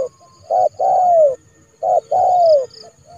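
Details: Trained decoy spotted dove calling to bring a rival into the yard for capture, January: two phrases, each a brief clipped note then a drawn-out, falling coo, with a faint high chirp behind.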